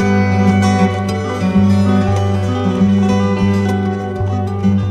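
Plucked string music, guitar- or zither-like, plays continuously with no animal voice.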